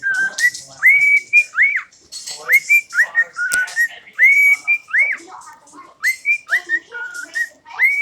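A cockatiel whistles clear, rising, slurred notes in quick repeated phrases, with scratchy chatter between them.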